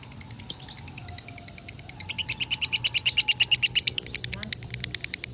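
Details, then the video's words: Lovebird from Salatiga in konslet song, a tutor recording scoring 8400 points: quiet at first, then a loud, rapid burst of harsh chattering notes about three per second that swells and fades, with a low drawn-out whistle underneath. "Masteran Lovebird Konslet ASLI"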